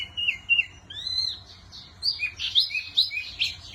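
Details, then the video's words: Varied wambi song: a couple of short whistles, a long sweeping whistle, then a tumbling jumble of high chirps and squeaky notes. "Burung Wambi Mini Gacor Kicau Terbaik"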